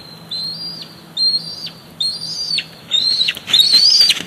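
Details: Bald eaglet at a Big Bear Lake nest, squeeing as its mother flies in with a fish, late July. Thin, high whistled squees, each a sliding note that bends and breaks, come in short bursts, some wing flapping mixed in.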